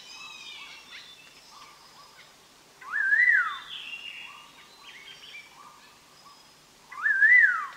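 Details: Collared laughingthrush on a trapping lure recording, giving two loud rising-then-falling whistled phrases about four seconds apart, while other birds keep up soft repeated chirps and short whistles between them.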